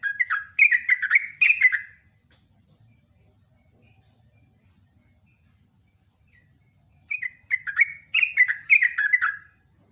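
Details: Quick ropel ngecruk burst from a Sooty-headed bulbul singing in the morning: several bright, rolling whistled notes, a long silence of about five seconds, then another energetic run of slurred chirps.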